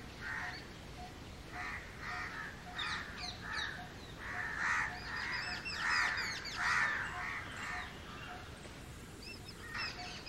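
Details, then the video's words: Several Indian house crows cawing: harsh, nasal caws, a little faster than one per second, overlapping, with thin chirps and whistles from other birds underneath. "CROW CROWING Sounds Naturally | Crow Sounds | Crow bird Cawing Voice"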